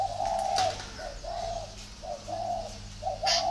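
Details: Spotted dove's low, soft hooting coos, a long note followed by shorter and longer ones in a rhythmic phrase, with a sharp click near the end.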